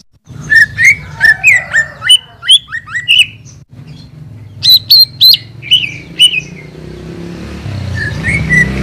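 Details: Greater Green Leafbird master song for lazy-singing cage birds: a quick series of bright whistled upslurs and flicks, a short gap, then a cluster of higher sharp notes fading into a background hum.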